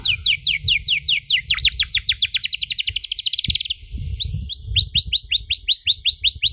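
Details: Canary singing long ornate phrases for young canaries to copy: descending whistled notes speeding into a fast trill, then looping upswept notes repeated rhythmically, with low background rumble.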